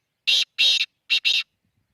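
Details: Harsh, rasping black francolin call given as four loud bursts grouped in pairs, the second burst drawn out, all within just over a second, with quiet surroundings.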